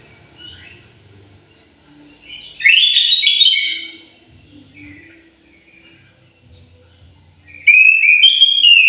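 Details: Orange-headed thrush kept in an aviary, singing two loud rich whistled phrases with warbled notes, one near the start and one at the end, separated by a quiet stretch with faint low hum.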